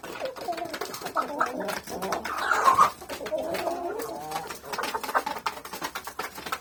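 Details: Hens pecking at wheat give soft, low, murmuring clucks, with one louder burst midway, over a constant patter of sharp pecking taps.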